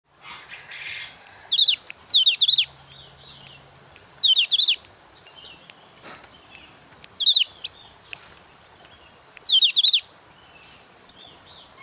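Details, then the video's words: Javan grey-throated white-eye, highly agitated in breeding season, giving a challenging call at rivals: short bursts of two or three sharp, high chattering notes repeated every two to three seconds, with faint other birds in the background. "opior jawa gacor emosi tinggi"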